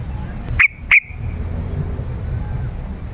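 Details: . Yellow-vented bulbul recording meant to lure wild birds and make silent caged birds sing. Two loud, sharp, slightly buzzy notes in quick succession, then low background noise.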